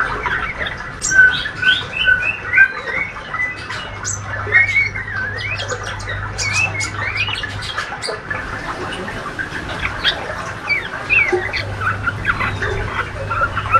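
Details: Healthy young male white-rumped shama giving ngriwik chatter: bursts of quick rising chirps and short whistles, pausing near eight seconds before resuming more sparsely, over a constant low hum.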